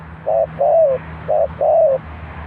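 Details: Dove used as a decoy bird at a trap, Ninh Thuận: low mellow cooing in paired phrases, a short coo followed by a longer slurred coo, the pair repeated twice, over a faint steady low hum.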